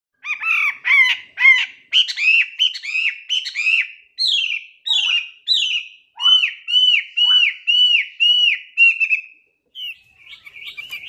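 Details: Chinese hwamei song used as a lure: a loud, steady run of short, bright, repeated notes, then a series of clear downslurred whistles about two per second, ending in a brief pause and softer notes.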